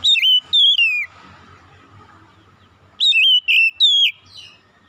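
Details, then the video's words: Morning singing by an Oriental magpie-robin. Loud, pure whistles slur downward in pairs and triplets, then a pause before another sweeping run of notes. "KICAUAN KACER INDAH DI PAGI HARI"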